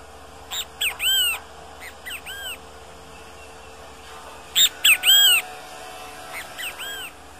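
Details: Great kiskadee calling in the wild: loud three-part phrases of a sharp note followed by two arched, slurred whistles, given twice with a quieter softer phrase between and another near the end; steady low hum beneath.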